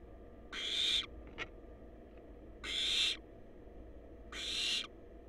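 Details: Wild barn owl chicks at their nest box give three rough, hissing screeches about two seconds apart, with a brief thin squeak after the first, all over a low continuous hum.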